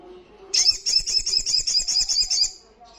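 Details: A single two-second trill from an Olive-backed Sunbird in loud 'ngalas' style, shrill, high and quickly repeated, over a soft low hum.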